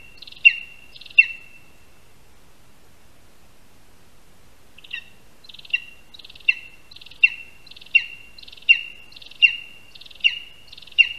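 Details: Lesser spotted eagle (Clanga pomarina) at a Latvian nest in a spruce, 22 August 2021, 1:38 PM, as a rat is brought as the first prey. Two high yelps are followed by a pause, then a steady series of buzzy-edged, falling 'kyip' calls.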